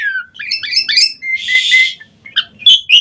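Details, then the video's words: Asian pied starling on a lure recording meant to draw replies from starlings: a quick string of rising chirps, a loud harsh rasp, then short squeaky whistled notes. "Suara Jalak Suren Gacor Mompa Buat Pancingan Burung Jalak Auto NYAUT Cepat Gacor Full Isian"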